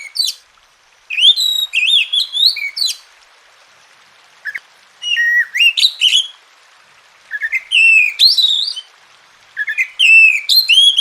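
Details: Oriental magpie-robin singing, played as therapy to get lazy birds singing vigorously: four bursts of rapid, varied whistled notes, chirps and upward slurs, each lasting one to two seconds and separated by silent gaps, with nothing else audible.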